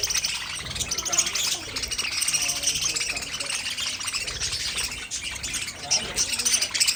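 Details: Several budgerigars keep up a steady twittering warble with rapid scratchy chirps overlapping, plus faint low rustling and knocking underneath.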